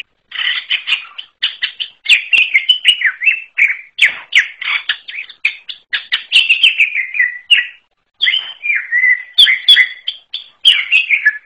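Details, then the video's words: {'caption': 'Wild greater green leafbird pouring out a long, unusual song of busy chattering and warbling, fast slurred notes in tight succession with a brief break near eight seconds before the run resumes. No other noise.'} "KICAU UNIK CUCAK IJO ALAS"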